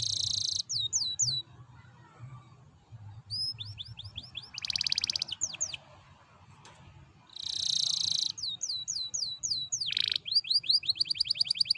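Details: Canary lure song meant to make other canaries start singing: high rising-falling whistled notes in quick series, broken by bright buzzy bursts, with low background rumble.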